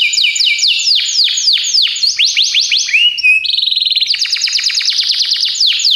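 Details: Training song for canaries from a Belgian canary: rapid series of high descending whistled sweeps, then a steady buzzy trill and quick stuttering notes, loud and continuous throughout.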